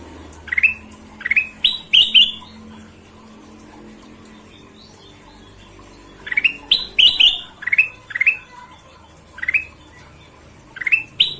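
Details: Golden-vented bulbul singing busily: bursts of short, bright upslurred whistles rising sharply, grouped in quick runs of three to five, with silent gaps of several seconds between bursts; faint low hum beneath.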